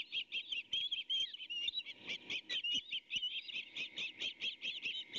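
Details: Osprey chick and its mother at a nest camera, tussling over a fish the male has just delivered for breakfast, early morning of 23 May 2019. Rapid, high, whistled chirps repeat without pause, several overlapping, with some scuffling clicks.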